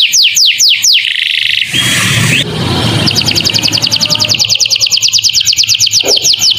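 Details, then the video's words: Canary tutor song with lovebird-style phrases for young birds: a few sharp falling notes, a stretch of harsh rushing noise, then a long, very rapid high trill of clipped repeated notes. "Masteran kenari isian lovebird,durasi panjang cocok untuk paud"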